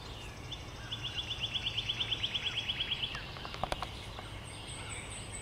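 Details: Pileated Woodpecker, Potowomut, Rhode Island, 21 May 2011: a fast, even series of about twenty loud, high 'kuk' notes lasting two seconds, then a few sharp clicks and a thin high whistle.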